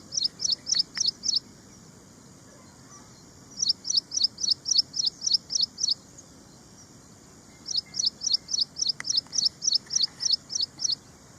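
Ashy prinia singing three bursts of sharp, high, evenly repeated notes, about five a second, with short pauses between bursts over a faint background hum.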